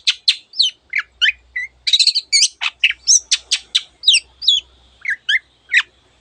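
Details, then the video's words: Long-tailed shrike song in gacor style, packed with variants of other birds' voices. Scratchy chattering notes alternate with curling whistles and a sustained thin tone, irregular rhythm, all high-pitched. "cendet gacor masteran untuk burung yang susah bunyi banyak varian suara burung lainya"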